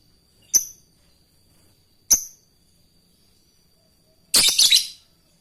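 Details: Fighter lovebird calling an opponent: two thin, very high chirps about one and a half seconds apart, then a loud, harsh, noisy squawk. The calls serve as training material for other lovebirds.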